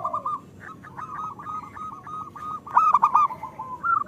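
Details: Local zebra dove singing, meant to coax quiet birds into song: a steady run of rapid, evenly spaced coo notes, then a louder stuttering phrase, with faint second voice.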